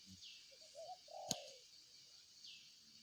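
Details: Single spotted dove cooing phrase: two soft lead-in notes, then a longer mellow, wavering coo, cut by a sharp click. Faint high chirps slide downward in the background.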